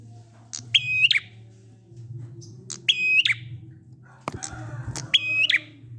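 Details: Prinia 'ngalun' song for luring reluctant prinias to sing: three long steady whistled phrases with clipped endings, a sharp knock between the second and third, and a low electrical-sounding hum throughout.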